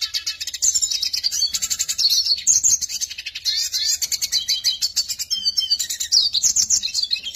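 Eurasian siskin singing a fast, continuous twittering song of high buzzy trills and chirps, with a faint low hum behind.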